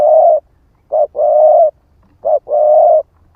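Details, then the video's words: Spotted dove of the 'ức chẻ' type rousing rivals as a lure: brief coo then a long, level, mellow coo, repeated three times at steady intervals. "Chim cu gáy ức chẻ thúc kích mồi | Tiếng chim cu gáy kích bổi"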